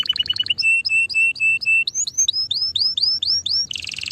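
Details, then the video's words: Canary song: a quick stutter of notes, then evenly spaced flat whistles, followed by sweeping rising slurs repeated roughly three times a second, closing with a burst of dense high trilling. "Singing canary"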